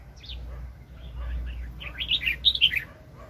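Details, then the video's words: Highly aroused wild red-whiskered bulbul at a 2020 trapping session. Faint scattered chirps build into a quick run of loud, bright, tumbling warbled notes, then fall quiet. "ĐẲNG CẤP BẪY CHIM CHÀO MÀO ||BỔI CỰC SUNG"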